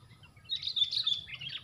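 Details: Sooty-headed bulbuls fighting, four birds against one, produce an excited run of high, squeaky, jumbled chattering that starts halfway through and continues to the end over a low background rumble.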